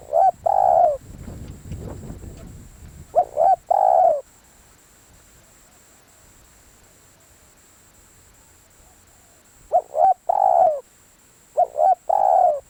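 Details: Spotted dove used as a decoy bird, giving deep cooing phrases of three to four notes that fall slightly in pitch. The phrases come in pairs, separated by a long silent gap, with a low rumbling noise early on.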